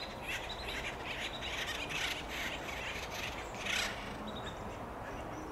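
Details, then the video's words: Acorn woodpeckers in Del Monte Forest, California, giving harsh, raspy calls repeated in quick bursts about every half second over a steady background hiss. "Sound of Acorn woodpeckers"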